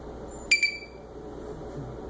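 A Senegal parrot gives two quick, pure electronic beeps with a steady pitch, mimicking a phone. A faint room hum is heard underneath.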